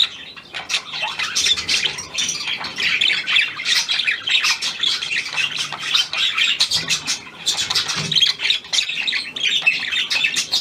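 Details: Steady grating warble and clicking chatter from a hand-tame Australian pied budgerigar, newly acquired, recorded 17 February 2023, starting after a quiet first half-second and running unbroken.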